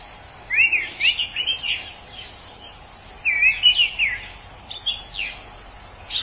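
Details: Wild orange-headed thrush, described as sounding like someone drunk, delivers two bursts of loud slurred whistles with wavering rising and falling notes, separated by a short pause, over a constant high insect drone.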